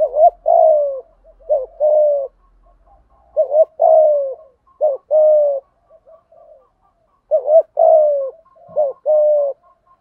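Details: Spotted dove used as a lure, thúc gù cooing: a run of paired bent notes and long mellow coos, several phrases close together, quiet surroundings.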